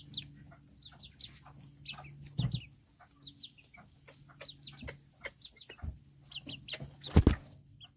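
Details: Several Serama chickens, a very small breed, kept in a coop on a cool Tuesday. Soft clucks and short high chirps come from several birds at once, with a few loud knocks and a steady electrical hum underneath.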